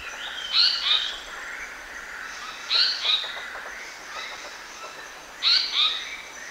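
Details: Lure song of a Black-naped monarch, with buzzy, ringing double notes recurring every two to three seconds over a soft background hiss.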